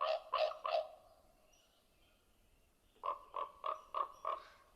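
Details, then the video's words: Common raven, a recent arrival in New York City, usually heard before seen: hoarse, nasal croaks, a quick run of three, a pause, then five more at a steady pace. "and you'll hear a raven before you see it usually"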